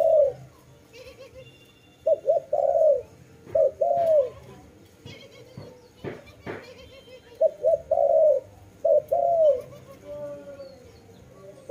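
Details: Dove cooing in phrases: paired short notes followed by a longer arched coo, repeated in bursts with pauses, a few faint clicks and knocks between phrases.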